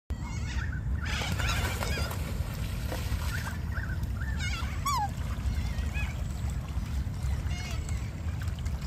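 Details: Black swans swimming on a lake in their natural habitat in the morning while foraging give soft, wavering bugling notes and a few higher, squeaky trumpeting calls, scattered over a heavy low rumble of wind or water.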